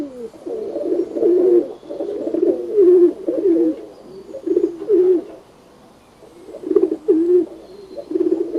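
Pigeon cooing: low, throaty, rolling coos in bursts of about a second, repeated with short pauses.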